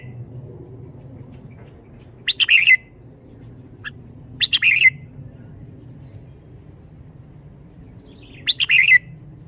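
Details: Caged red-whiskered bulbul showing liveliness: one short, clear, bubbling whistled phrase about every two seconds, three in all, over a low background hum.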